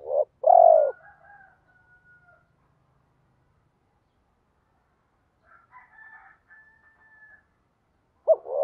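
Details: Spotted dove cooing to push reluctant birds to coo back: a loud low coo early on, faint thin whistled notes drifting through the middle, and another coo starting at the end.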